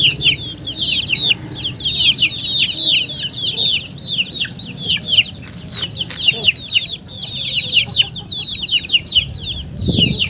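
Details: Many chickens peeping together: sharp, high, down-slurred whistles in busy bursts, with brief lulls and a few clicks and knocks; a low thump near the end.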